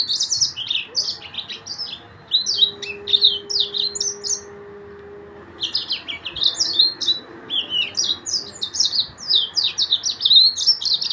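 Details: Yellow-fronted canary (Mozambique singer) pouring out bursts of quick high chirps and buzzy downslurred notes, pausing briefly midway, then resuming a dense twittering stream; a low steady hum runs underneath.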